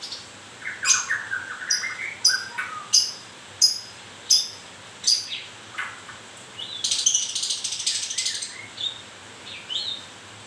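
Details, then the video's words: Moulting white-rumped shama giving a run of sharp high ticks about once a second mixed with lower whistled notes, then a dense burst of buzzy high chatter and a few rising whistles. "Kicau mania.. murai baru rontok bulu..."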